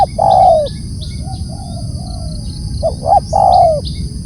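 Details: Spotted dove calling: a long falling coo, soft faint notes in between, then two short rising coos and another drawn-out descending note; low rumble and high hiss throughout.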